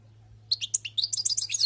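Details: European goldfinch caught from the wild, singing a quick tinkling burst of short chirps and trills that speeds into a dense, liquid twitter, with a faint low hum underneath.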